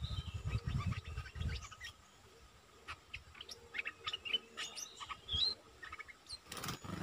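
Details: Streak-eared bulbul used as a decoy bird, producing clusters of quick chirps and a bright rising whistle near the end, with pauses of quieter noise and a sharp knock late on.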